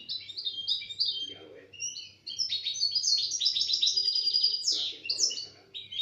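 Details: A European goldfinch, apparently taken out of its box, sings a fast, tinkling stream of bright twitters and liquid trills, broken by a brief pause, over a low indoor hum.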